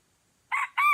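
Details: Crow of a red junglefowl in Aceh, recorded as a lure bird drew in two wild birds. Two quick, strident, buzzy syllables rise and fall slightly, with a brief gap between them.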